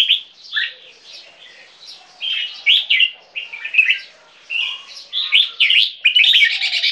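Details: A two-year-old captive bulbul, an Asian black bulbul crossbred with Red-whiskered Bulbul, gives a lively, chattering run of squeaky, slurred high notes in quick bursts that grow denser and louder toward the end.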